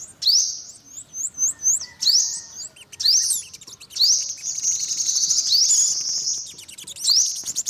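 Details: Olive-backed sunbird calling: very high, thin rising upsweeps, repeated in quick bursts, with some sustained high trilled stretches and small hooked notes above.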